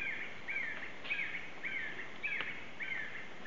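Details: Black-necked red-cotinga in the Yasuni, giving short slurred whistled notes repeated roughly every half second over a steady background hiss of forest noise.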